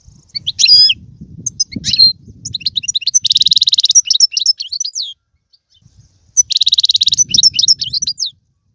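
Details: European goldfinch song in the twittering 'bitbita' style, played to stimulate a pet goldfinch to sing: bright chirps and slurred notes, then two fast buzzy trills, with a short pause between phrases.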